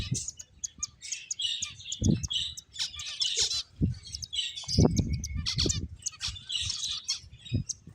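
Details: Chattering finches with clustered high chirps and squeaky trills in uneven bursts, punctuated by occasional low knocks and flutters.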